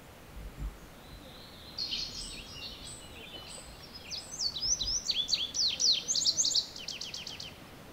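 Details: An indigo bunting in full song, a high, sweet series of thin slurred notes that climb into loud paired phrases and end in a fast run of sharp descending chips; light background hiss.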